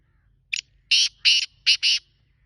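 Black francolin: a short click, then four loud, harsh, grating notes in two quick pairs, over a faint low rumble.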